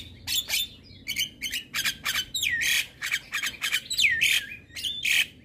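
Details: In the morning, a Javan myna gives a jumble of harsh grating notes broken by two clear whistles that slide sharply downward, delivered in quick uneven bursts.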